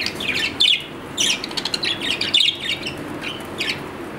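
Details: Pet budgerigar chirping in short scratchy notes and warbled bursts, several calls close together, over faint steady background noise.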